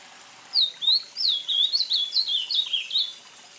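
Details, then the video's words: Azulão, the ultramarine grosbeak of Brazil, delivering a rich warbling phrase of about nine quick slurred whistled notes, rising and falling, gradually descending toward the end, against a quiet background. "1:57 - Azulão"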